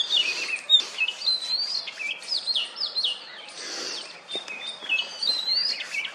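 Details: Oriental magpie-robin on a wooden stump, ruffling its feathers and calling to females during courtship; a rapid, busy stream of high whistled notes, sliding sweeps and short chirps, bursting about twice a second over a soft outdoor hiss.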